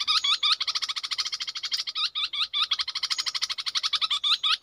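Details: Red-whiskered bulbul as a decoy bird produces a dense, rapid rattle of pulsed churring notes, broken now and then by quick looping whistled flourishes, continuous throughout.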